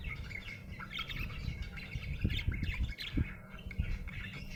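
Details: Budgerigar chirping happily in a bright, rapid chatter of thin whistled notes and scratchy warbles, with soft tapping sounds underneath.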